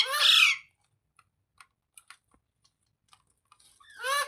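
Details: Parrot kept as a pet calling indoors: a loud raspy squawk at the start and a similar descending screech at the end, with faint clicks and rustles between.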